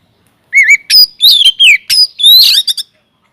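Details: Aviary-kept white-rumped shama, kacer, singing energetically as a lure to set other birds singing; a wavering whistle leads into a rapid string of loud, piercing whistles, falling slurs and harsh buzzy notes, all within three seconds.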